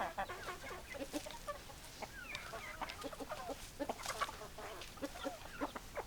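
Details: Hens clucking: irregular short clucks and a few rising squeaky notes from several birds, with clicks and scratching noises throughout.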